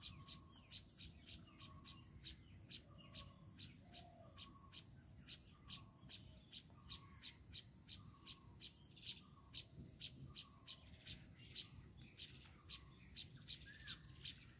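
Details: Baya weaver with its chicks: a rapid, fairly steady series of short high chirps, roughly two or three per second, alongside softer lower descending notes repeating throughout and a low background rumble.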